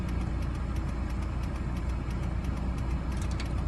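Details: A vehicle engine idles with a steady low rumble and rapid knocking, and no animal sound is heard.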